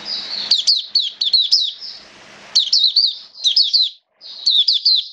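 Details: Oriental white-eye kept as a hobby songbird, its diet adjusted for wet rainy weather, recorded 29 September 2022; high thin twittering phrases of quick, slurred chirps, two bursts separated by a brief pause, a faint low hum beneath.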